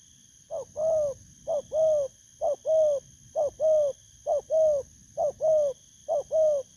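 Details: A wild-caught spotted dove, known locally as thổ cấn, coos steadily at a decoy setup. Paired short notes are followed by a longer, slightly falling hoot, repeated quickly about every three quarters of a second. A faint high electrical whine runs throughout.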